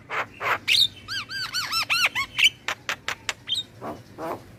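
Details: Black-winged myna song played to encourage caged birds to sing, opening with noisy squawks, then a run of five arched, harmonic-rich notes, followed by sharp clicks and upward whistles.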